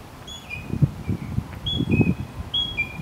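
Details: Northern mockingbird recorded on 30 May 2015 in Arlington National Cemetery, Virginia, USA, repeating a two-part whistled phrase three times, a high note dropping to a lower held tone, with low rumbling noise underneath.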